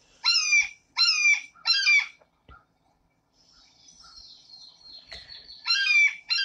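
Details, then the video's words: A Blue Jay, a common bird in southern Wisconsin, gives loud, harsh, slightly downslurred screams imitating a Red-shouldered Hawk. There are three in quick succession, a quiet gap, then two more, over a faint background hiss. "So remember this sound. This is a blue jay pretending to be a red-shouldered hawk."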